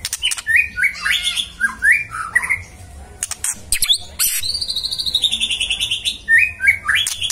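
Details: Magpie-robin (murai) giving lively song: repeated short upslurred whistles, then a long fast series of high ringing notes, with sharp clicking sounds between phrases.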